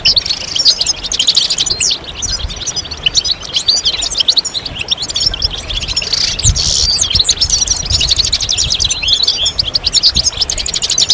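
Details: A chorus of European goldfinches with readiness and mating calls, used to stimulate singing; an almost unbroken wash of high, jingling twitters and trills lasts about eleven seconds.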